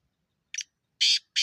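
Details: Black francolin calling: three harsh, grating bursts, the first short and soft, the next two loud and rasping, separated by brief silences.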